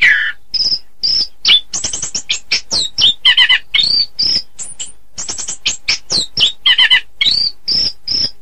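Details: Orange-headed thrush tutor song for training other birds: rapid, varied sequence of sharp whistled notes, buzzy trills and chattering phrases delivered about twice per second with very brief gaps.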